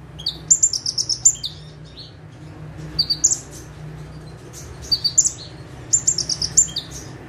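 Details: Ciblek, or bar-winged prinia, perched quietly in one place and giving full bursts of song: rapid high trills and sharp squeaky notes in clusters separated by brief pauses, over a faint low drone.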